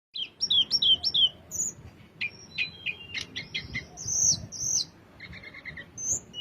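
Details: Velvet-fronted nuthatch song: a quick series of four bright descending chirps, then scattered high whistles, short buzzy notes and sharp ticks, with a faint low background murmur.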